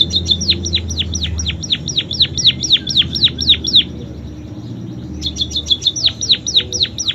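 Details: Munia singing a song filled with canary imitations: a fast series of sharp, high, downward-sweeping notes, about four per second, a pause, then another burst of the same slurred notes.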